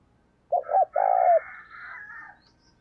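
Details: Spotted dove used as a decoy to attract wild doves, giving one low cooing phrase of two quick hoots and a longer drawn-out coo, followed by a softer, rougher sound trailing off.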